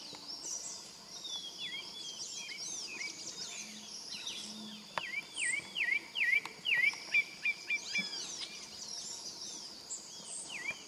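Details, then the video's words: A pale-breasted thrush sings a run of clear, down-slurred whistled notes, about two per second, over a busy chorus of high chirping birds and insects. "Sabiá-barranco cantando"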